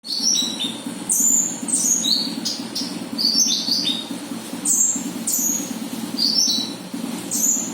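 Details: Konin bird lure call: clear high whistled notes, short and falling, given in small groups every second or so, over a constant low engine-like hum.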